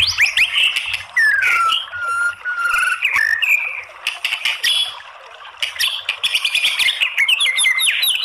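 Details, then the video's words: Female white-rumped shama calling, used to goad other shamas to sing: long descending and level whistles, dense loud bursts of sharp ticks and scratchy notes, and quick up-slurred whistles near the end, all high-pitched and continuous. "MURAI BATU APAPUN AKAN BONGKAR ISIAN ¦ PANCINGAN MURAI"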